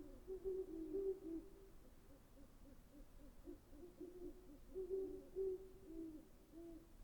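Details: Deep, soft hooting from a great horned owl, clustered hoots near the start and again around five seconds, with faint lower echoes between them.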